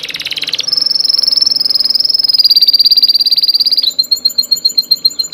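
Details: A bird's chirping song: a brief buzzy burst, then a long, even, high-pitched trill of rapid pulses lasting about three seconds, ending in slower, spaced chirps repeated several times a second.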